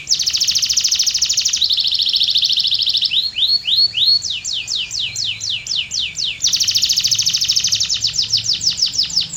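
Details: Singing canary alternating dense buzzy rattling trills with runs of quick descending whistled strokes, then returning to the rattling trill.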